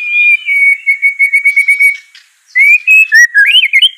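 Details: Training song of a white-rumped shama for a reluctant singer: a steady run of even whistled pulses, a short pause, then rising and warbling whistles.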